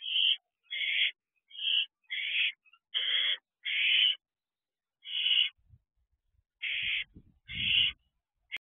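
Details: Barn owl owlet at its nest box doorway, 8:18 pm on 13 June 2023, while practising wing flaps; a run of about ten short, harsh hissing bursts with uneven gaps, plus faint low thumps near the end.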